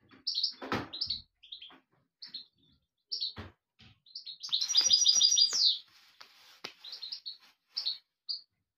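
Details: European goldfinch in full song: tumbling bright twitters and chirps, a buzzy rolling trill in the middle ending with a downward slur, then more scattered tinkling notes; a few soft clicks and knocks in the background.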